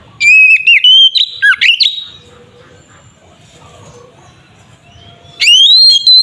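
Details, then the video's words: Provocative fighting song of a white-rumped shama: a burst of whistled and chattering phrases with sharp dips, a quiet spell of about three seconds, then a rising whistle begins again. "Terapi suara burung Kacer gacor sangat ampuh untuk pancingan Kacer agar emosi"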